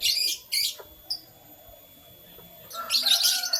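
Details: Canaries singing in the morning: loud bursts of high, bright chirping at the start and again at the end, separated by a near-silent stretch with a single short tweet.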